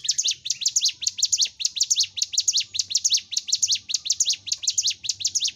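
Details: Rapid, even-paced chirping song of a Hill Prinia, meant to train caged birds kept together to sing and fight quickly: bright, high notes in regular doubled strokes, over light low humming.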